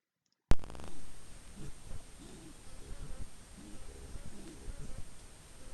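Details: A male North Island brown kiwi at night near Russell, New Zealand, grunts just before calling: a run of low, rough grunts, about two a second, after a sharp click at the start.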